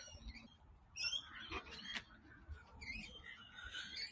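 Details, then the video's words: A noisy flock of rainbow lorikeets in a grove of Banksia trees on Long Reef Headland near Sydney gives shrill, harsh, squawky screeches in overlapping bursts, with a faint voice in the background. "And you can hear there's lots of rainbow lorikeets."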